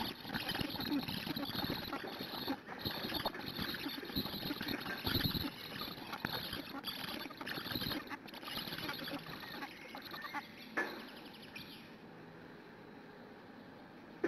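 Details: Black stork nestlings at a live-streamed nest in Hungary, morning of 12 June 2017 around 08:21, begging for a long time until a parent arrives to feed them; dense, harsh, wheezy rasping calls pour out rapidly for about ten seconds, then subside.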